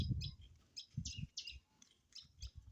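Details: A male rose-ringed parakeet, called a green ringneck parrot, repeats short harsh chirps about every quarter second while a person speaks softly nearby and low knocks sound.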